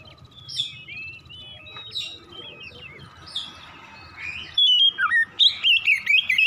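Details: ['Morning song of an Oriental magpie-robin, used to prompt birds into rapid continuous singing: faint, distant whistled phrases and rustling at first, then a loud burst of warbled, sliding whistles at the end.']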